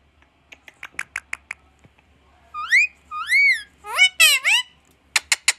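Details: Pet parrot imitating speech, saying "Maa Aaaa": a run of short clicking notes, then drawn-out nasal rising-and-falling vowel sounds repeated several times, ending with three sharp loud chirps, indoors.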